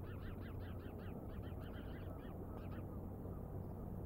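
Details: Wild bald eagles at Decorah caught on a live nature cam on 09/08/2022 at 07:10. A rapid run of about a dozen high, piping chirps, each rising then falling, spaced closely over three seconds, above a steady low rumble.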